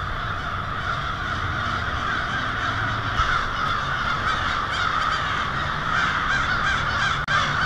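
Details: Hundreds, maybe thousands, of American crows roost for the night in a residential street in Lansing, Michigan, on the evening of February 1, 2016, cawing in a harsh, overlapping, dense chorus with no pauses.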